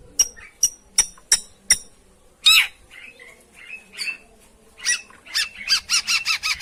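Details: Long-tailed shrike lure song meant to prompt a silent or lazy bird into singing: five sharp high ticks, then harsh broadband rasps and short scratchy notes, ending in a fast run of clipped chattering notes.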